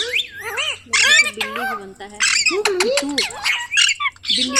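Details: Ringneck parrot chattering in speech-like phrases, some low and drawn out and others shrill and clipped, delivered in tight bursts with short gaps.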